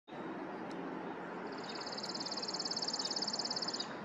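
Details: Chipping sparrow singing: a fast, dry, even trill of high chips lasting about two and a half seconds, rising in loudness toward the end, over a steady loud broadband roar.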